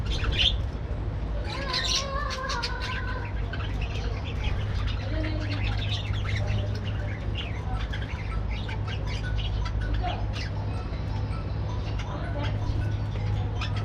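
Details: Aviary colony of breeding budgerigars in the morning, giving wavering warbled notes early on, then dense overlapping chirps and scratchy chatter, all over a constant low mechanical hum.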